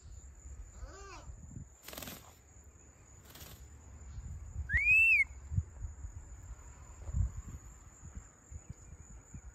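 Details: A captive hand-reared hawk-headed (red-fan) parrot, always keen to whistle, gives a soft falling whistle, then a loud arched whistle; two sharp clicks, a faint steady high tone and low room noise are also heard.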